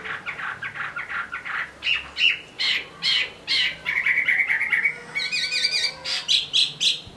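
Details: Chinese hwamei from Hai Phong, Vietnam, delivering repeated short chattering notes in rhythmic bursts, then a buzzy stretch and doubled higher notes near the close.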